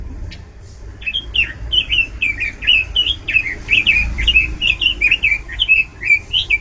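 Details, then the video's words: Oriental magpie-robin in full song, loud and varied: a rapid run of clear whistled notes, each bending up and down, about two or three per second, with faint low background rumble. "ROBIN GACOR SUARA LANTANG DAN VARIASI"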